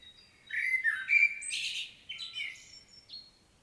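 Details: Common blackbird solo from Świnoujście, Poland, recorded 25 September 2022; low whistled fluting notes rise into a loud, squeaky, twittering finish, then trailing short high chirps.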